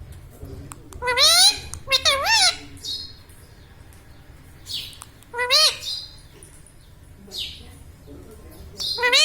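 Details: Pet Indian ringneck parakeet, a laughing talking parrot, indoors: clusters of quick harmonic, wavering voice-like notes in pairs, with breathy high hisses between and low background rumble.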